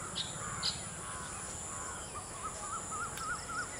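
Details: Pair of rufous treepies perched on a dry Sheesham tree: two harsh bursts open, then a run of short, wavy, rising-falling notes repeated about three times a second over a steady background hum.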